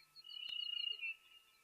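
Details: A distant brubru, a small black-and-white bird with orange flank streaks, gives its high, ringing trill of rapid pulses lasting about a second, like a far-off telephone, with a single sharp click partway through, at a waterhole on 31 October 2023.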